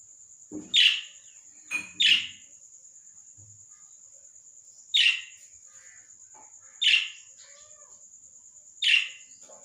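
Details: Lovebird repeating loud, harsh, screechy single calls at irregular gaps of about one to two seconds, five main squawks in all, with a steady shrill background tone and otherwise quiet surroundings.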